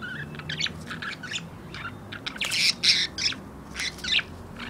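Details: Budgerigars (Melopsittacus undulatus), males fighting over a female, give harsh, scratchy squawks and chirps in rapid, irregular bursts, roughly three per second, with a few louder screeches mixed in.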